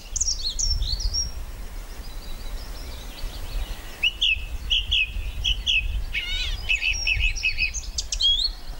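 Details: Song thrush singing on Castlemorton Common near Malvern in May 2021: high clear whistled phrases, one short note repeated four times, then a sharper note given three times, over a low rumble of wind.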